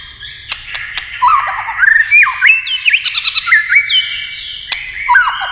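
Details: White-rumped shama singing competitively in many voices: rich fluty whistles sliding up and down, looping slurred phrases and high squeaky notes, broken by occasional sharp clicks.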